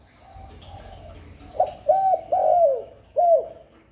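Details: Calling spotted dove, a sound meant to stimulate and attract other doves: after a faint murmur, four clear hollow coos, a short pickup, two longer arched notes and a final falling coo.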